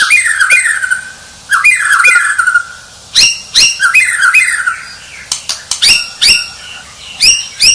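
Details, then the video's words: Song of a champion White-rumped shama: warbled whistled phrases, then sharp clicking notes and bright, high upslurred whistles in quick bursts. "Suara Murai Batu Sang Juara"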